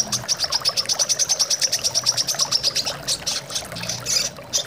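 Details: Brown-throated sunbird chirping with a long, even series of rapid high tinkling notes, roughly five per second, fading into looser twitters near the end, while flowing water runs steadily underneath.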